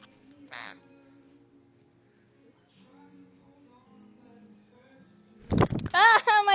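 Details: Pet sun conure kept at home, giving a burst of loud, harsh, rasping screeches in quick succession at the end, after a long quiet stretch with faint low voices and a short sharp noise at the start.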